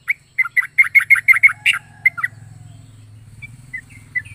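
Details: Yellow-vented bulbul with a unique, strange sound: a quick, even run of bright, clipped chirps, then scattered faint notes over a low, steady mechanical hum.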